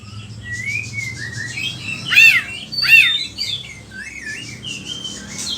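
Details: Oriental magpie-robin song for tutoring other birds, Indonesia: soft sliding whistles and warbles over a steady low hum, broken by two loud harsh downslurred notes.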